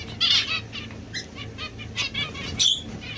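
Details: Domestic Society finch with a few loud nasal, buzzy notes and short chirps spaced through the recording, set against low steady hum.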